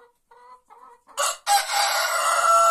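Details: Crow of a white rooster in an Andalusian village among olive groves, before dawn. Three soft clucks open, then a short harsh note and a loud, sustained, strained crow running to the end.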